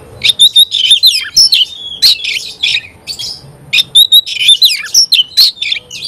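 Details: Oriental magpie-robin, a caged songbird in full song, pouring out fast varied whistles, sharp chirps and scratchy notes high in pitch, bursts coming about twice a second with brief gaps.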